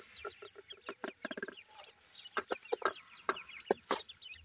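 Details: Grey francolin chicks, irani teetar, giving rapid harmonic peeps in short runs, then louder scattered chirps, with faint tapping sounds between calls.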